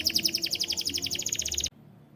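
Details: White canary delivering a rapid, regular rattling trill of bright repeated notes that stops abruptly, leaving quiet background noise.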